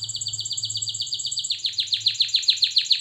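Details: Singing canary used for song training, giving a steady fast trill of high notes that shifts into louder, sweeping downslurred chirps repeated about four times a second.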